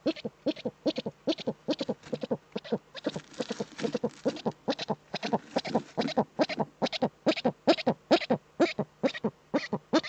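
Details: Eurasian eagle-owl female scratching in her nest niche, filmed by a nest webcam in northern Rhineland-Palatinate, Germany, on 5 May 2013; a fast, steady run of short, harsh, harmonic pulses, about two per second, for ten seconds.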